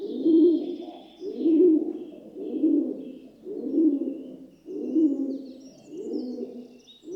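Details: Pigeon (rock dove) cooing steadily: six deep, rounded coos spaced just over a second apart, evenly rhythmic, with faint distant high bird calls.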